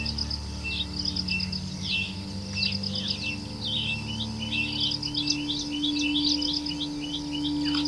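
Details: Ashy-crowned sparrow-lark giving short, high chirping notes in quick irregular runs, some rising, over steady buzzy insect trilling and a low constant hum.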